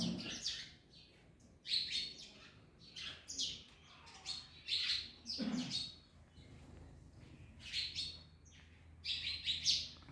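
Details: While eating an orange, parrots give repeated harsh, grating high-pitched screeches in irregular bursts, with a low background hum.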